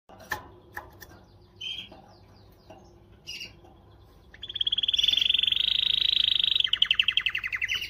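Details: Canary singing to motivate females: scattered faint chips and short high notes, then after about four seconds a loud, fast, even trill of rapid repeated notes that holds for over two seconds before breaking into slower pulsed phrases.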